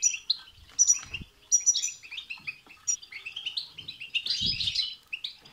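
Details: Goldfinch song for stimulating a pet goldfinch, lively tinkling twitter phrases with sharp high notes and a burst of harsher buzzy chatter near the end, some low thumping noises.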